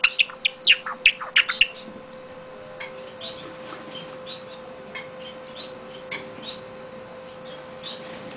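Java sparrow song: a quick burst of high, clicking chirps, then softer scattered notes, over a steady low electrical hum.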